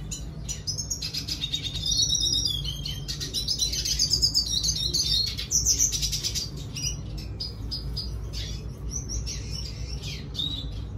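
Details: Singing red siskin delivering a long, varied twittering song of quick high chirps, slurred whistles and rapid trills, rising and falling, with a constant low background hum.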